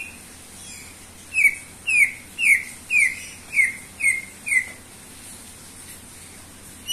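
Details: Greater green leafbird (cucak ijo) in full song for luring: seven clear, downslurred whistles delivered evenly about every half second, then quiet.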